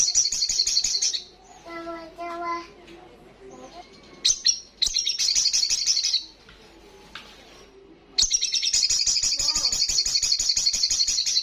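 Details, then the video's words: Olive-backed sunbird singing vigorously in the loud ngalas style: long, fast buzzy trills of high rapid pulses in three bursts, with a pause holding softer lower tonal notes in between. "Sogon gacor Ngalas kencang"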